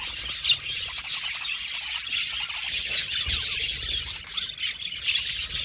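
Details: Colony of budgerigars in an aviary, squawky chirps and squeals over continuous warbling chatter, with one loud sharp call near the start.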